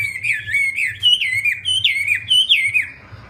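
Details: Song of a Wambi bird: a looping chain of slurred, wavering whistles, each dipping and rising again, repeated about every half second before stopping abruptly; light background hum.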